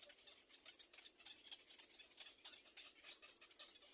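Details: Little black cormorant babies begging while they wait for their mother to feed them: quick, dry, high scratchy pulses repeated about four times a second without pause.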